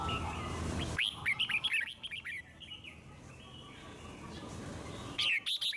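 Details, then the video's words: Red-whiskered bulbul song for stimulating other birds, heard as a brief burst of rising whistled chirps after a noisy start, then a gap of background hiss and a final quick phrase. "Chim Chào Mào Hót Hay - Giọng Rừng Cực Đỉnh | Kích Thích Chim Hót Căng"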